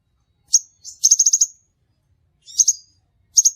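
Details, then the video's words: Crimson sunbird trapping-lure call: a piercing high chip, then a quick rattled series of five or six sharp notes, followed by a paired chip and a final double tick. "suara burung sepahraja ampuh"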